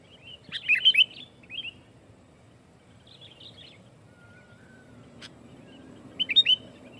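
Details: Sooty-headed bulbul delivering a loud challenge song to provoke other bulbuls; a strong burst of warbled chirps, a shorter phrase, near silence with a faint low whistle, then another bright burst at the end.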